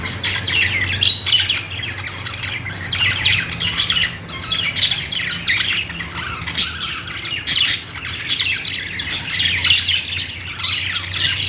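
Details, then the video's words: Budgies keep up scratchy, high-pitched chirps and squawks in repeated short bursts of overlapping chatter, with a steady low hum in the background. "budgies sounds | parakeet chirping sounds"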